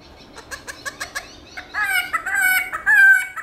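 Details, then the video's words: Black-throated laughingthrush singing its morning forest-style song with voice switching: a run of short sharp ticking notes, then louder rich whistles held near one pitch with bending ends. "Khướu Bạc Má Hót Giọng Rừng ĐẢO GIỌNG Buổi Sáng"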